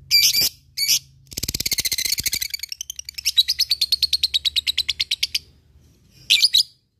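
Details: Lovebird ngekek bout, used to lure rivals and train fighter birds: short shrill bursts, a harsh rasping chatter, then a quick regular string of high chirps, a pause and one last shrill burst.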